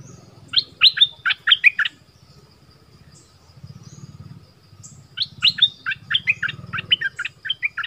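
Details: Decoy bulbul of the southern type gives two bursts of lively, choppy warbled notes, each lasting about one to two seconds, separated by a pause filled with low hum.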